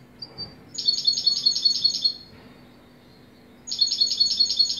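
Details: Two bursts of European goldfinch song, each a rapid chain of about eight repeated bright, tinkling notes, separated by a short silence with a faint chirp before.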